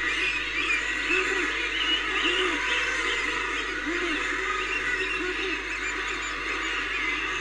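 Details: Common murres at a colony near Reykjavik on 25 April 2024 give low, growling moans, short and arched, about twice a second from several birds, over a steady hiss of colony noise or surf.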